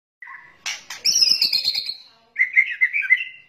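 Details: A white-rumped shama, in a lure recording of its rattling chatter, gives a clear whistled note, then a burst of harsh rattling chatter, and finally a series of rich warbled whistles.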